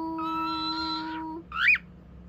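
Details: Male pet cockatiel chattering: a steady, flat, tonal note held for over a second, then a short bright upward chirp, over a faint low background hum.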